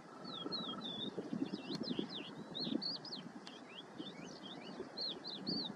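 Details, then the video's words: Yellow wagtail, Motacilla flava superciliaris, giving a busy run of high, slurred, whistled chirps, each note quickly bending up or down, overlapping from several birds, with a brief steady tone at the start and a low rustling background. "Cutrettola, Yellow Wagtail (Motacilla flava superciliaris)"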